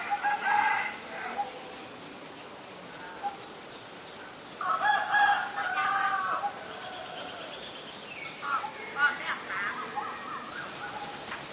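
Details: Calls of a White-vented myna, Ubon Ratchathani, Thailand, on 9 March 2022: three separate bursts of loud, grating, chattering notes spaced several seconds apart, with quieter pauses in between.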